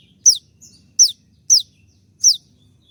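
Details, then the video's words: Shooting-style 'tembakan' song of a konin in molt, recorded for training birds. Four bright, piercing notes each drop steeply in pitch, evenly spaced, with a soft low rumble behind. "dengan suara tembakan seperti ini pasti bikin kelas kicau koninmu melecit tinggi"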